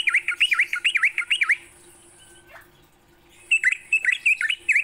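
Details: Sooty-headed bulbul morning song, played to encourage kept birds to sing actively. Rapid dipping whistled notes in a short burst, a brief lull with a faint slur, then bright chattering notes resume over a constant high background tone.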